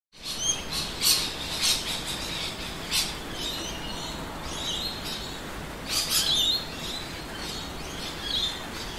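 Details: Many rainbow lorikeets in suburban Adelaide, South Australia, at midday in winter, with noisy miners nearby, recorded on a Panasonic 4K Handycam: harsh, high screeching bursts overlap in a steady chorus, with louder clusters near the start and again around six seconds.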